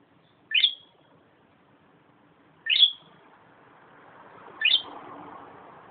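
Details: Pet bird in a good mood during a sunbath, giving three brief bright chirps about two seconds apart, each a quick rising flick, over soft background rustle that grows slightly louder toward the end.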